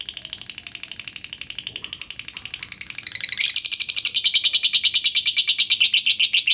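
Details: Lovebird long trill as a lure to make other lovebirds sing: steady rapid pulsing chatter of high notes that grows louder and harsher midway and continues without a break.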